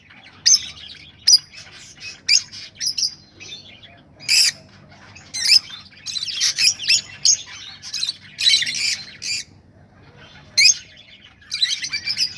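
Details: Rosellas calling to prompt breeding: loud harsh squawks repeated irregularly about every second, with a dense, noisy chorus of chatter in the middle and softer twitters between bursts.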